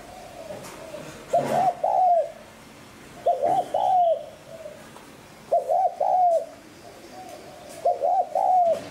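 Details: Spotted dove coo in a voice style meant to draw in wild doves: four evenly spaced phrases over nine seconds, each a quick doubled note followed by a smooth extended coo, with faint softer coos and light hiss.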